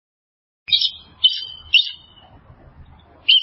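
An eagle gives high, thin chittering notes in quick bursts about half a second apart.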